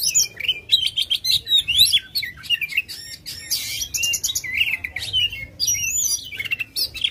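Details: Aggressive kacer, or Oriental magpie-robin, spreading its tail while singing, used to spur a silent bird into song: rapid, varied stream of bright whistles, buzzy chips and rising slurred notes, almost unbroken for seven seconds.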